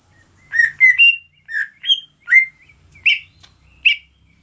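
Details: Greater green leafbird singing in a real recording meant to provoke other birds, a varied run of about eight loud whistled notes, some rising, some falling, spaced unevenly.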